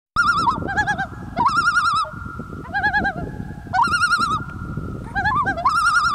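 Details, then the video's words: Two common loons calling to each other on a lake in Kamloops, British Columbia, Canada, at summer's end: long sustained wavering wails, rising, holding level, and sliding between pitches, overlapping, with a continuous low background rumble. "Two Loons communicating on a lake"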